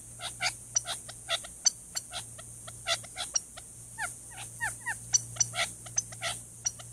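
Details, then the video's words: Male Gambel's quail hidden in a chaparral thicket near a watering hole in Tucson, Arizona, sounding the alarm at a Cooper's hawk; trail camera recording. Rapid series of sharp, loud clicking notes, irregularly spaced, several per second. "Cooper's Hawk Goes After Noisy Quail Sounding Alarm"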